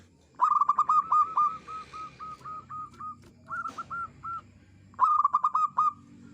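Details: Zebra dove, a local bird, singing clearly to lure other doves: fast stuttered opening notes easing into many spaced coos, a short rattle, then another stuttering phrase.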